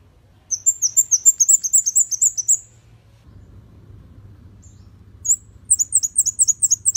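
Red-headed bunting song: a rapid run of about ten high, thin, sweet notes, a brief pause, then another quick series. Faint low hum behind.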